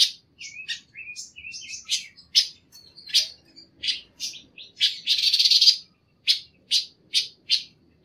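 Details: Panca warna training song: rapid high chirps and thin whistled slurs give way to sharp repeated notes and a dense buzzy rattle near the middle, then evenly spaced bright chirps; clean recording with little background.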